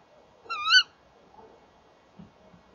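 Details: A single short, sharp, rising call from a Tawny owl, one of a male and female pair calling together at a nest box in the evening, over a low background hiss and faint shuffling.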